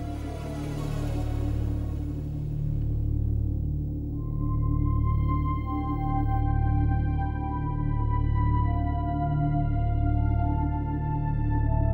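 Sustained organ music with a deep droning bass and slowly shifting held chords, with no animal sound.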